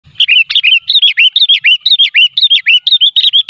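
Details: Sooty-headed bulbul (kutilang) used as a trapping lure, described as unedited and lively: rapid bright chirpy phrases, each a quick falling-rising whistled note, repeated about twice a second in a steady busy stream.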